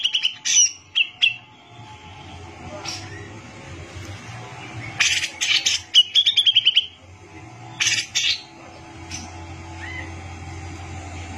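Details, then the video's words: Cucak jenggot (Brown-cheeked bulbul) delivering scattered loud chirps and whistles, with a short fast rattling trill midway and a couple of harsh bursts. A low droning hum is present. "CUCAK JENGGOT GACOR BISA BUAT MASTERAN"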